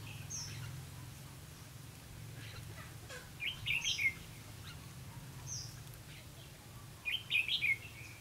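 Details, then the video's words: Lure Red-whiskered bulbul at a trapping session, 4 November 2016: two brief warbling bursts of rising and falling chirps several seconds apart, with faint high single notes and a steady low hum underneath. "Bẫy chào mào lăng xăng mau mỏ"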